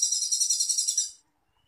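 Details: Cucak cungkok on a master recording for songbird training: a single high, fast-pulsed rattling trill lasting just over one second, ending abruptly in silence.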